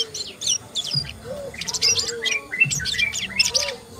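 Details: Asian brown flycatcher giving rapid runs of high, thin chirps and short sharp notes in quick bursts, with softer lower-pitched slurred notes underneath and a quiet background.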